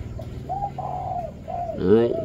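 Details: Spotted dove in the five-note cooing style: a series of low, soft hooting coos, one drawn out longer than the rest, then a sudden louder burst near the end over a faint background hum.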